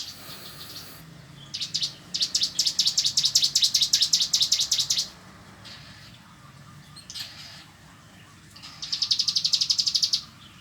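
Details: Cigun singing in a relaxed ngebren style: two bursts of rapid, high, buzzy trilling, the first lasting about three seconds and the second about one and a half, separated by near silence.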